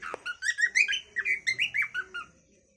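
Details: Cockatiel calling song heard as a run of warbling, rising and falling whistled chirps that fade out at the end, with a faint low hum underneath.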